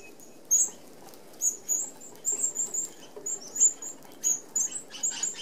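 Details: Flock of Australian red-browed finches feeding at a mesh-screened open aviary feeder, giving scattered thin high-pitched peeps at irregular intervals, mixed with light fluttering wings.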